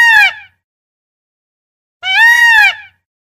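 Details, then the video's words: A female peafowl gives two loud, nasal, wailing calls separated by silence. The first is short and the second is longer and arched in pitch. "Female Peacock voice । Mor ki awaaz"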